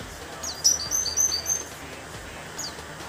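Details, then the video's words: Caged orange-headed thrush (anis merah) from Banjarnegara, Indonesia, singing in the 'teler' style: a quick burst of thin, high whistled notes in short repeated phrases, then a pause and one more brief note, over steady low background hum. "Anis merah "Broto" teler"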